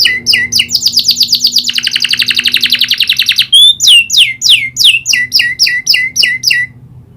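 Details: Canary in full song, trained to include the prinia's clicking call: fast buzzy trill, then a lower rolling trill, then a clear series of sharp downslurred whistled notes repeated about four times a second.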